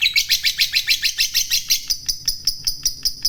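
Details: Fighter lovebird giving a long ngekek chatter aimed at stirring rival lovebirds to call. A fast run of high, sharp notes roughly five a second holds a steady rhythm throughout.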